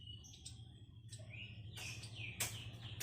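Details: A black sunbird, active and being trained to call, gives thin, high whistles and sharp, rising chirps in short bursts over a steady low mechanical hum.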